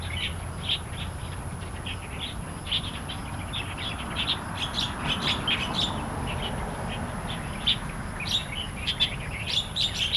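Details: Starlings and magpie-robins singing in the wild in Taiwan: busy bursts of sharp chirps and whistled notes, some buzzy, repeated irregularly throughout, with a constant low rumble and faint high steady tone behind.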